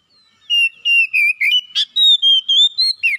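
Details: Oriental magpie-robin kept at home, giving a rapid series of about ten bright whistled notes, mostly steady in pitch with a few slurred upward and downward, delivered without pause.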